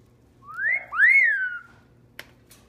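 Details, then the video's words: Red-crowned amazon saying a whistled, two-syllable "hello": a short rising note, then a longer one that sweeps up and slowly falls, followed by two soft clicks. "Red Crowned Amazon Parrot Saying Hello"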